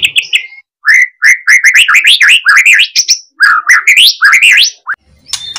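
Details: White-rumped shama singing loudly, used to provoke other shamas: a quick sequence of upswept whistled notes repeated in bursts, each phrase climbing higher, separated by short silences.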